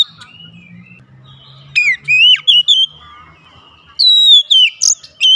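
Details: Oriental magpie-robin, singing to motivate a lazy bird, gives scattered loud whistles, some rising and some sliding down, between quiet stretches with a faint low hum.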